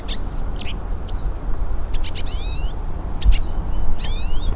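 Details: Hooded siskins singing in natural surroundings: scattered sharp high chips and short notes, then two bright sweeping whistled phrases, over a heavy low background rumble.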